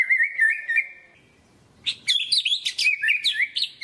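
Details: Energetic murai batu song meant to rouse lazy shamas: a sustained wavering whistle, a brief pause, then a fast jumble of sharp, varied high notes and twittering phrases.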